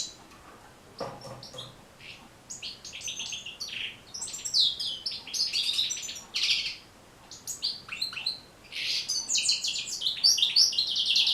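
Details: European goldfinch song for training and encouraging caged birds to sing: a quiet start, then lively high twittering phrases of tinkling chirps, short buzzes and rapid trills in bursts separated by brief pauses.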